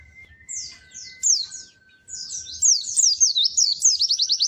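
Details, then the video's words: A lively, melodious white-eye opens with thin, high, separated tweets, then speeds into a dense twittering phrase ending in a rapid, even trill. A soft low patter sits in the background. "Kicau Burung PLECI GACOR MERDU"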